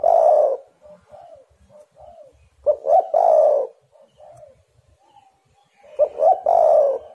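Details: Spotted dove lure call for getting doves to sing: a long coo at the start, another phrase mid-way and one at the end, each deep and rolling, separated by a string of soft, short coos.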